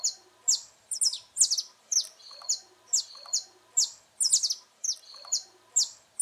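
A saffron finch sings sharp, high chips and short slurred phrases, about two notes a second in an uneven, lively rhythm; the background is quiet.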